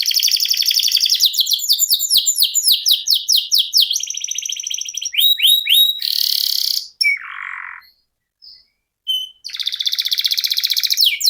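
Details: Singing canary in a long, continuous roll used as a training master for competition songbirds: rapid trills of descending sweeps, a buzzy band, bright upslurred notes, then a fast rattling trill after brief gaps.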